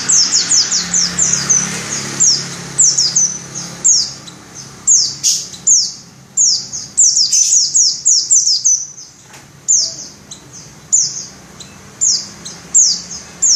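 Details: White-eye (pleci) singing in the ngerol style with open beak: rapid series of high, thin, sharply descending whistled notes, grouped in bursts and repeated steadily across the recording, with faint low hum beneath.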